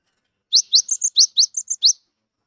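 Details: Gelatik wingko Cinereous tit, wild-caught and newly kept, singing as a lure for silent birds. About nine sharp notes come in a second and a half, rising slurred chirps alternating with pairs of higher, steady whistles.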